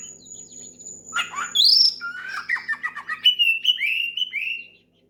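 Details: Oriental magpie-robin loudly singing to call out a rival and get other birds singing: a thin steady high whistle, then harsh chatter, a bright upslurred note, rapid scratchy notes and a string of falling whistled slurs.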